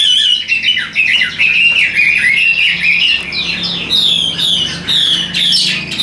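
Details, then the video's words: Tame caged Chinese hwamei, carried by hand, sings a rich, even song of rolling whistled warbles and trills in brisk phrases, each one separated by a brief pause. "Nhẹ Nhàng Sách Tay Hót, Đầu Mặt Cực Đẹp. Đấu Xòe Đuôi. Giọng Hay Ra Giọng Rất Đều"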